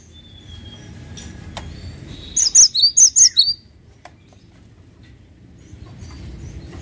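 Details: A short phrase of cinereous tit song, four or five sharp high whistled notes alternating high and low, then quiet with only faint background noise and a click.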